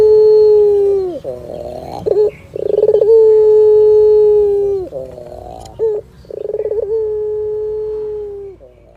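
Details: Repeated phrases of melodious Barbary dove song with a cat listening, each a rolling pulsed opening, a short note, then a long level coo sliding down at the end, three phrases in succession.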